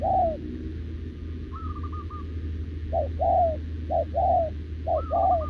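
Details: Wild-caught spotted dove in captivity, cooing continuously while paired with a decoy. Falling coos, a higher trilled phrase, pause, then a run of short-and-long coo pairs and another trilled phrase, over steady low-pitched noise.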